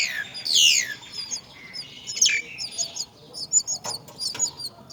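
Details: Myna tending young at the nest gives loud, harsh downward-sliding calls. Scattered thin, high chirps are spread irregularly between them.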